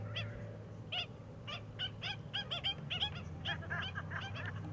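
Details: An Australian pied oystercatcher hunting amid stranded seagrass gives a rapid run of sharp, clipped piping calls, some doubled, over a constant low rumble.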